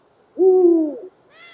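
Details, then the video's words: A Eurasian eagle-owl gives one deep, mellow hoot lasting under a second, steady and then dropping slightly at the end. A faint, higher tone follows just after. "What Do Eagle Owls Sound Like?"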